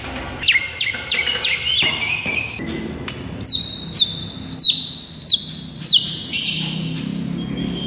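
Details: Morning masteran song of an actively singing white-rumped shama: high, sharp downslurred whistles, then a series of about six clear, ringing notes spaced roughly every half second, with soft low background noise.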